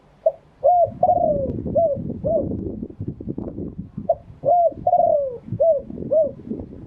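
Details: Spotted dove cooing live in true wild style, with two matching phrases of soft, rounded coos. Each phrase has brief notes around one longer, slowly descending coo. A steady low murmur runs underneath.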